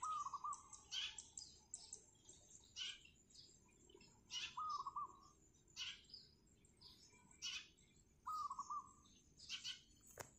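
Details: Wild zebra dove singing on a roof tile in the morning: three low, rolling coo phrases of rapid bumpy notes, spaced a few seconds apart, with sharp high chirps from other small birds between them.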